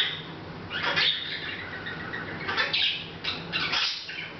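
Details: Casual chatter from a pet Hahn's macaw, filmed August 10th 2012 while ignoring the camera: grating, broadband squawky notes grouped in three or four short bursts, with a low electrical-sounding hum throughout.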